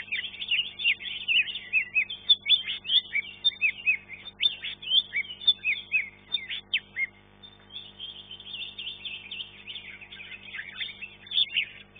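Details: Contest green leafbird, third-place finisher in class 1, singing a long, busy stream of sharp chirps, quick down-slurred whistles and twittering trills in fast bursts, briefly easing before resuming.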